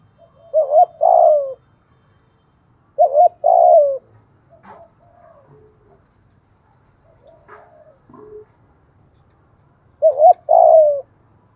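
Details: Spotted dove lure song, thổ voice, for coaxing caught birds to sing: three shortened two-note cooing bursts about three seconds apart, with soft scattered clicks and rustles between them.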